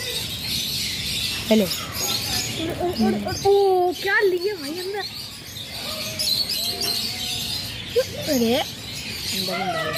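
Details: Talking blue-and-yellow macaw producing short harmonic syllables with wavy, bending pitch, spaced by pauses, with a strong rising-then-falling phrase near the end over a light hiss.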